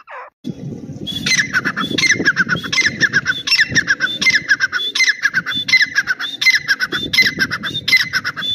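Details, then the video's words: Grey francolin from a Dakni versus Irani type compilation, calling outdoors: harsh ringing notes repeated steadily about every 0.7 seconds over a constant low rumble of background noise. "Dakni vs Irani Teetar Part 2 | Tetar voice Compilation"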